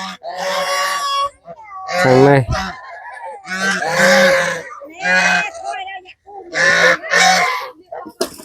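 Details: Farm geese in a Cambodian village gathering at evening feeding time on chopped banana stems mixed with bran, following people and trying to bite: loud, harsh honking bursts about one second long, repeated every one to two seconds, with a man talking.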